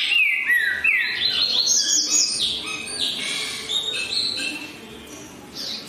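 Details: Green-winged saltator in lively song: loud clear whistled phrases sliding down then up, followed by denser rising notes and a busier jumble of sound.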